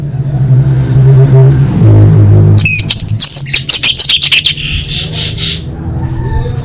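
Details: Orange-headed thrush full isian song, used as a master to train competition birds: after a droning low hum, a three-second flurry of rapid, slurred high whistles and trills tails off into softer repeated notes.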